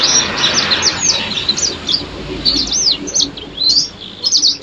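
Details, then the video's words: Yellow-fronted canary singing loudly and steadily: high, quick, warbled slurs and twittering phrases over a constant hiss of background noise. "Suara burung sanger gacor"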